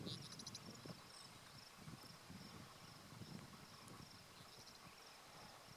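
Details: Henslow's sparrow singing unseen from the ground in SGL 100, Pennsylvania, on 1 June 2015 gives its tiny, dry, high two-part hiccup twice, about four seconds apart, over steady insect buzzing and low wind rumble.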